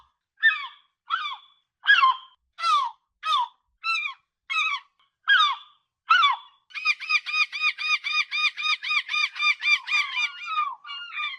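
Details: Gull calls recorded on the coast: eight loud, harsh, down-slurred screeches about once a second, then a fast, even run of about twenty laughing notes with another gull overlapping near the end.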